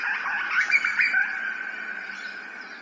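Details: Grey butcherbird singing in Australia, ambisonic surround recording: a short run of rich, warbled whistles that trails off into quieter notes over a steady background drone.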